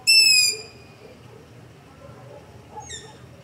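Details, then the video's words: Long-eared owl begging call recorded at night near a house with a Zoom H5 and LOM Usi Pro microphones: one loud, high, squeaky drawn-out 'peee' opening the clip, then a fainter, shorter squeak about two seconds later over a quiet background. "Long-Eared Owl - Begging Call"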